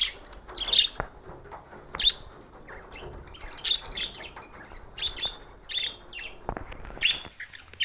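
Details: Budgerigars recorded on June 7, 2024, described as lonely; scattered short, bright chirps and squeaks at irregular intervals over soft background noise, a few louder notes standing out, with occasional faint clicks.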